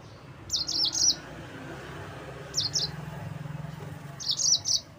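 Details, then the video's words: Yellow-fronted canary song used to provoke rivals: three brief bursts of high, quick chirps spread over five seconds, separated by quiet gaps with a soft low hum. "Mozambik Gacor NGEROL Terbaik untuk Pancingan bikin Lawan Naik Emosi"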